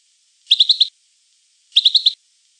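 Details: European goldfinch giving two quick bursts of four bright, clipped twittering notes, about a second and a quarter apart.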